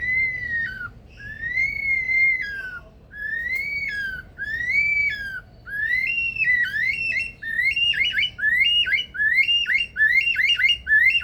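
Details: Captive male superb lyrebird at Adelaide Zoo, South Australia, mimicking other sounds. Loud arched whistled notes, slowly spaced at first, speed up into quick repeated rising-and-falling phrases, electronic-alarm-like, about 35 per minute.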